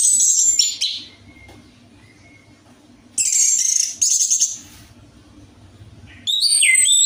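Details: Orange-headed thrush song meant to coax a kept bird into singing: high thin whistled bursts separated by quiet stretches with a low hum and a faint drawn-out note.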